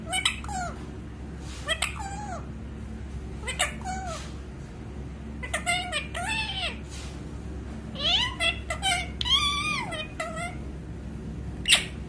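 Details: Talking parrot in a small room, giving bursts of nasal, speech-like chatter with sliding, wavering tones and sharp squeaks, separated by brief pauses over a constant low hum.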